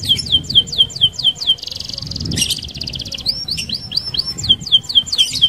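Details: Canary singing a rolling song meant to lure other canaries: repeated falling whistled notes about twice a second, a buzzy trill, then more sweeping whistles.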